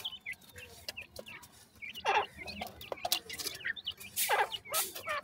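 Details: Partridge chicks, described as irani teetar, making thin upward-hooked peeps at an irregular pace, interrupted by two harsh, broadband scraping bursts and frequent clicks and knocks close by.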